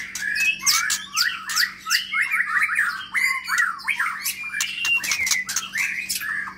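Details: White-rumped shama, a new long-tailed bird from Medan kept in an exercise cage, delivers a dense, fast chattering song of jumbled whistles and harsh rasping notes with scattered clicks over a low mains hum.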